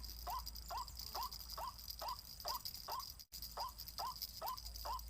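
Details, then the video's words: Steady series of brief rising notes from a white-breasted waterhen, about two per second, over loud high hiss and a low hum, with a short break. "PIKAT 4 SISI BIKIN RUAK RUAK PANIK"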